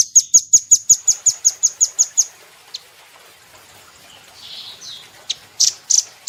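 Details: Velvet-fronted nuthatch, a cage bird, on a training recording for songbird keepers: a fast run of about twelve sharp, high chipping notes over two seconds, then scattered single chips, a faint buzzy rush, and a few louder closing notes.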